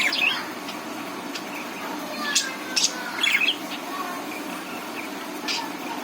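Budgerigars chatter in quick, scratchy chirps and short bright squeaks, with a soft steady hiss behind.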